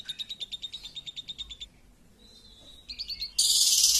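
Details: Champion lovebird lure song: a quick trill of high notes, a pause with a thin whistled tone, a few buzzy chirps, then a loud harsh continuous burst, over faint background noise.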